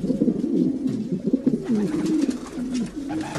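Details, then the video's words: Domestic pigeons cooing: clear low, bubbling coo phrases that swoop and roll repeatedly over about three seconds, several birds overlapping. "Sounds of pigeons.Pigeons,domestic pigeons"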